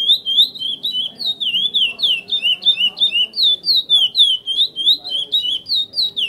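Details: A domestically bred chestnut-bellied seed finch (curió) sings the "praia mineirinho" song type. It is a fast, continuous run of clear, slurred whistles, about three to four notes a second, rising and falling, over faint background noise.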